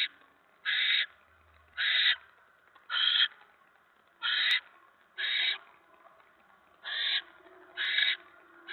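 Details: Mouse brought to a barn owl nest on a November evening in 2017: eight rough, noisy hissing screeches in under nine seconds, roughly one per second, each short and loud against a quiet background.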